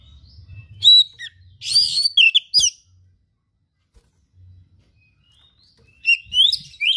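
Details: An oriental magpie-robin delivers song filled with rare imitated material: bright whistled and scratchy phrases for two seconds, a long silence, then rising whistles and chirps, over a low background hum.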